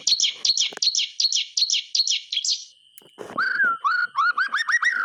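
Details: White-rumped shama song meant to coax quiet shamas into singing: a run of repeated buzzy high chips, then a pause and a series of rising whistled notes, over a constant thin electronic tone.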